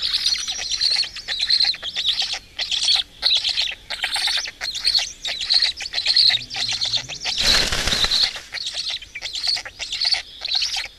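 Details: On a morning in May 2018, a black stork family at its Estonian nest gives rhythmic hoarse, hissing bursts at a steady pace of more than one a second. A loud rustle or knock breaks in partway through.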